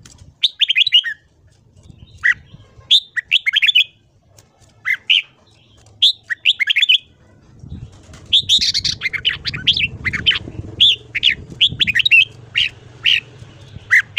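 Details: Red-whiskered bulbul morning song in the 'ché' style for voice training: repeated short whistled phrases, then a dense flurry of rapid twittering notes in the second half, with low rumbling behind.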